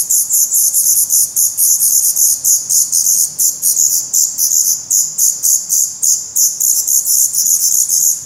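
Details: Black redstart nestlings with newly opened eyes in a nest in Portugal, 16 May 2020, camera placed close to the nest; dense, very high, thin chirps pulse rapidly and unevenly in an almost continuous chorus.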